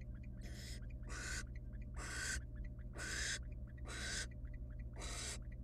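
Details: Female barn owl feeding her wild nestlings small bits of rabbit in a nest box. The chicks give six rasping, breathy hisses, each roughly half a second, coming about once a second, with a constant low electrical hum underneath.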